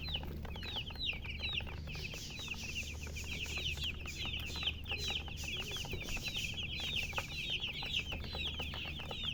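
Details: Constant chatter of chickens: rapid, high, piping chirps overlapping without pause, each a quick rising or falling peep, over a faint low rumble.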